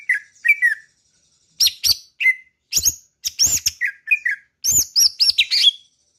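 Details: Greater green leafbird from Kalimantan, likely a kept songbird, singing a lively varied song of high whistles, chirps and quick slurred notes in short bursts, with sharp clicking sounds between phrases.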